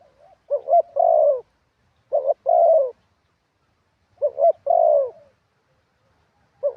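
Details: Spotted dove used as a ground decoy, singing in wild-style phrasing: clear low cooing phrases, each a brief doubled note and then a longer mellow coo, three phrases with gaps between.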